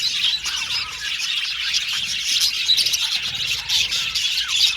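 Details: A flock of budgerigars keeps up a busy chorus of high chirps and chattering, with a few rising and falling whistled notes standing out over the steady twitter.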